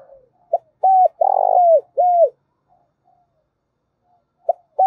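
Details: Spotted dove used as a decoy bird to lure wild doves, cooing loud and clear; each phrase a short note, pause, two hooked coos and a long rolling coo between them, with silent gaps.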